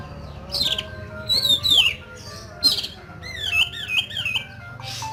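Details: Oriental magpie-robin (kacer) giving rough fill-in song (isian kasar), used as training to make kacer sing: loud descending whistles and rising sweeps in separate bursts, over a steady low background hum.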